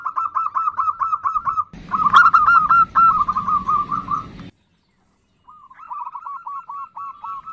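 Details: Zebra dove female calling the male with nutut notes: steady rows of quick hooked coos, a louder noisy stretch, then a short silence before softer repeated notes return.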